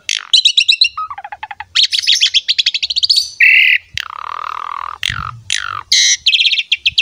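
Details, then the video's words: An Asian pied starling's energetic song, used for tutoring young starlings: stuttering trilled phrases, a long harsh rasping note, a low drawn-out grating sound, sharp descending whistles and rapid chip series. "PANCINGAN JALAK SUREN GACOR MOMPA FULL MATERI MEWAH UNTUK JALAK MUDA"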